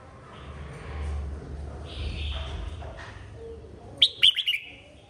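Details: Red-whiskered bulbul singing in a 2023 song contest: soft whistled notes at first, then a loud, quick burst of bright, warbled notes near the end over a low background rumble.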